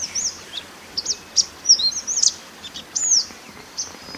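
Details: Wild mountain white-eye used as a master singer for training birds: thin high whistles, a few looping and descending slurs and one long arched note, spaced irregularly across four seconds with a soft low hum.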